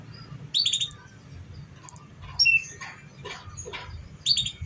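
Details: Lure recording of canary song for young canaries that are still learning: three bright high chirp bursts roughly two seconds apart, separated by faint raspy notes, over a low steady hum.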